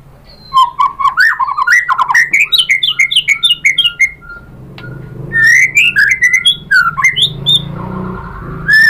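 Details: Varied, loud song of a white-rumped shama meant to draw other birds into singing, with rapid strings of rising whistled notes climbing in pitch, a short pause, then more rich warbled phrases.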